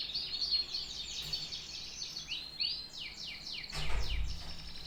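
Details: Canary song of repeated downward-sliding chirps and short trills, with a low thump and rustle near the end.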